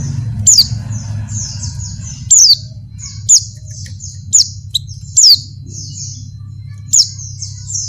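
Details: Breeding-condition female Oriental white-eye calling a male, with continuous thin high twittering and six or so loud, piercing falling notes at uneven intervals over eight seconds, backed by a low steady hum.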